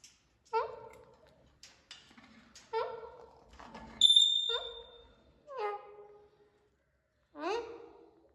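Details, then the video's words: A parrot in a quiet room gives five short, voice-like squawks with falling tones, spaced a second or two apart, and one sharp, high whistle midway. "Parrots talking"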